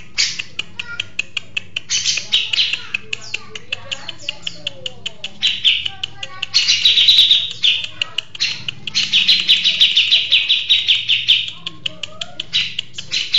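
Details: Grey-cheeked bulbul giving several bursts of dense, high chattering song between quieter stretches, with steady dry ticking clicks running throughout the background.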